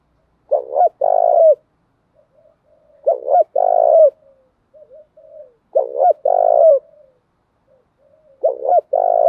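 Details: Spotted doves, male and female, calling to stimulate cooing; four low phrases about every two and a half seconds, each a quick double note and a longer rough coo, with soft murmuring between.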